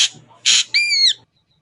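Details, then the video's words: Ashy drongo singing: a harsh, broad hissing burst followed by a clear, slightly falling whistled note with strong overtones, then silence. "suara jernih burung srigunting abu abu"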